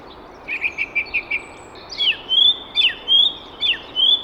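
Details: Early-morning song from a male song thrush in a tree beside a hedge, taken from a hide: a rapid run of repeated short notes, then several loud, clear whistled phrases with sweeping and rising notes.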